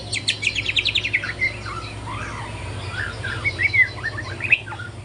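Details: White-rumped shama youngster learning its morning song: a rapid series of sharp ticking notes, then softer wavering whistles and slurred phrases, over a low background hum.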